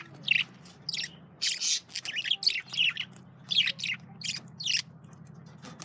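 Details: Male budgerigars eating carrots chirp in sharp, slurred bursts about once a second, over a steady low electrical hum.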